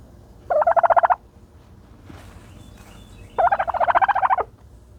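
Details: Dust-bathing turkey with two gobbling bursts: a brief pulsed rattle, a quiet gap with faint rustling, then a longer rolling gobble of rapid notes.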